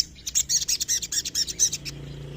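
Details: Sooty-headed bulbul giving a quick bubbly run of about a dozen bright, chirping notes over less than two seconds, each note sharp and slightly buzzy, followed by a low steady background hum.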